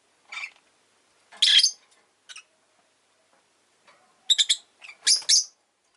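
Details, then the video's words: Pet rosy-faced lovebird giving harsh, buzzy chirps in short bursts: one near the start, a loud longer burst at about one and a half seconds, a brief note, then a rapid cluster of sharp chirps toward the end. "Lovebird Chirping Sounds"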